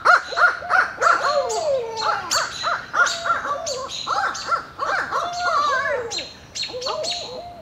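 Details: Barred owl pair caterwauling: a dense, rapid jumble of overlapping hooting and cackling notes, many arched or sliding downward, repeated several times a second, with high chirping notes mixed in.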